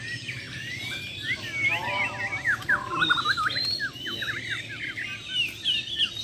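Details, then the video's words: Bornean white-rumped shamas, champion birds facing off, pour out dense tumbling phrases of sweeping whistled notes that bend up and down, full of varied fill, over faint background noise. "BURUNG - BURUNG JUARA MURAI BATU BORNEO "MUARA WAHAU" || FULL ISAIN BESETAN DAN TEMBAKAN"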